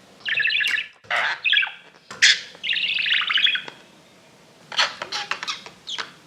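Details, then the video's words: Budgerigars kept as exhibition birds give buzzy chirps and warbled phrases, including one longer rolling chatter, followed by a flurry of quick sharp ticks. "Parrot Natural Voice | You Can Hear Different Types of Sounds | Parrots Talking Sound"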